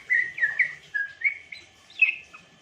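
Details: African grey parrot chirping song: bright whistled notes in quick succession, several short upslurs and a level tone, then a final higher warbled note fading out.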